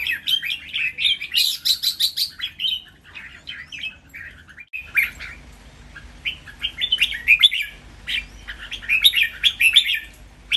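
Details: Red-whiskered bulbuls kept in cages, one of three competing males, pour out rapid chattering whistled phrases in two clusters separated by a short pause, in a training master song with doubled phrases.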